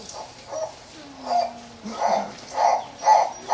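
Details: Fischer's turaco calling at Antwerp zoo: a series of hoarse, barking notes repeated roughly every half second, growing louder toward the end, with a faint low drawn-out sound early on.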